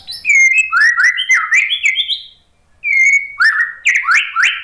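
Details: White-rumped shama singing as a lure for a silent bird: bright varied whistles, rising and falling slurs delivered rapidly in two bursts with a short gap between, clear and loud.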